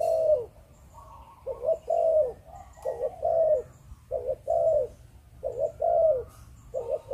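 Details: Rhythmic low coos of a spotted dove from Malaysian breeding stock in the 'Chụp Chụp Ô' style: clipped double notes followed by longer falling coos, repeated steadily over seven seconds with faint high ticks.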